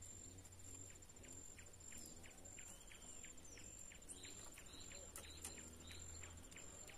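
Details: A young male Chestnut-bellied Seed Finch in brown immature plumage, taken out into the bush, sings quietly in short, slurred whistled notes, several each second, over a steady high whine and a low rumble; it is just starting to open its song.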